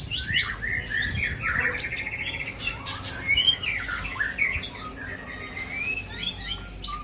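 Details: Aceh white-rumped shama delivering its mimicked song fills: fast varied twittering, short whistled slurs and sharp clicks run together without a break, some notes rising, others dropping.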